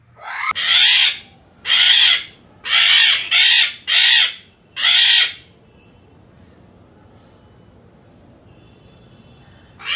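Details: A breeding pair of Yellow-collared macaws give harsh, raspy squawks, six loud bursts in about five seconds, then a quiet pause before another starts.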